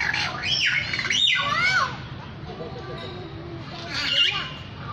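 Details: Lyrebird producing a varied run of swooping whistles: quick up-and-down sweeps early on, a quieter stretch of lower warbling notes, then a brief bright burst of high notes near the end.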